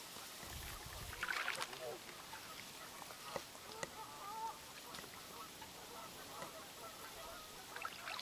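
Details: Trumpeter swan pair, one bird collared, in the refuge area of Crex Meadows Wildlife Area at Grantsburg, Wisconsin, 4 April 2008: a few nasal honking calls over steady rushing background noise.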